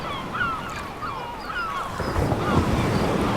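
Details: Gulls on a beach give repeated, sliding, mewing cries every half second or so, partly overlapping, while breaking waves and wind rumble steadily underneath.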